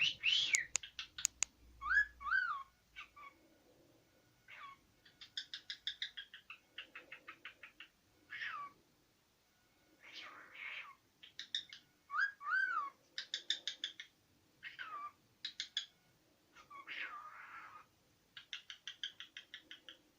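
A cockatiel whistles a chattering run of rising and falling notes mixed with quick trilled bursts.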